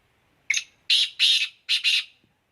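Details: Black francolin calling: a short sharp opening note, then four harsh, grating, broadband notes in two quick pairs over about a second and a half, against a quiet background.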